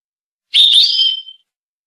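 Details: Rasta Torka song of a goldfinch from Tunis. A short, hissy, buzzy onset turns into a thin whistle that rises slightly, then slides down and fades within a second.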